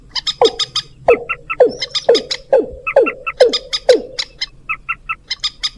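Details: Mandar rail and watercock calls played as a bird lure: a steady series of about eight falling 'kok' notes near two per second, overlaid by quick bright chattering clicks throughout.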